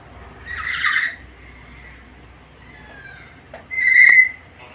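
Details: Black-capped lory, described as highly vocal, talkative and varied: a rough squawk, then a soft falling slur, and a loud, short, clear whistled note near the end.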